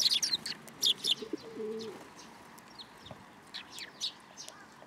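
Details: Sparrows gathering to be fed at a Tenmangu shrine on 10 July 2022: clusters of short, high, sharp chirps in quick bursts, quieter scattered chirps later, with soft low pigeon cooing in the background early on.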